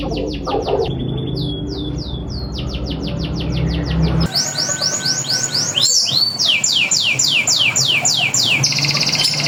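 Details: Local canary lure song meant to make other canaries answer: loud, rapid rolls of descending whistled sweeps, switching abruptly between tight trills and wider swooping notes, over a constant noisy hum.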